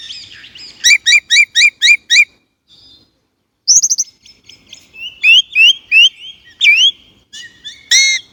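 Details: Song of the Chinese blackbird: a string of six identical upswept chirps, a pause, a high whistled flourish, then several rising and falling whistles ending in a loud rich note.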